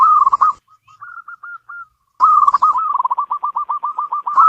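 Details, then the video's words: Zebra dove song: a rich opening coo, a string of faint, higher soft notes, a pause, then a long steady sequence of quick, clipped cooing notes. "Suara burung perkutut lokal pembawa rezeki dalam rumah"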